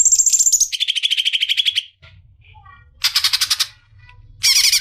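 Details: Leafbird song in bursts of rapid buzzy trilled notes, first high then dropping lower, with a pause and two more fast chattering phrases, some very high.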